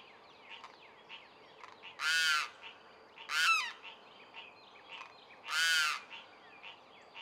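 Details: On 14 April 2024 at Cullinan Park in Houston, Texas, a Limpkin gives three loud, harsh, wailing screams, each under a second and spaced a second or two apart, over a steady background of small birds chirping.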